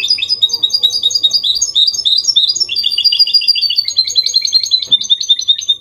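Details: Clean Copia Málaga style song from a goldfinch mule, meant to prompt males to sing and help chicks memorise: fast, chattering twitters shift into a buzzier rolling trill, then higher tinkling notes.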